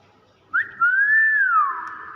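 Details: Hill myna whistling in its natural voice: one clear whistle that leaps up sharply, then arcs slowly down into a long sustained note, with faint room noise behind.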